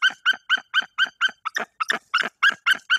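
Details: A female white-tailed eagle incubating eggs defends her nest in Bory Tucholskie against an intruder perched directly above her. She gives a fast, even series of sharp, ringing yelps, about four each second.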